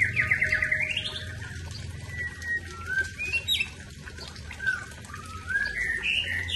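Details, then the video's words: Aceh white-rumped shama singing its fill-in song of loose whistles and upward-sweeping notes, spaced out over a steady low hum and rushing background noise. "Murai ACEH # Tumpahkan Isian"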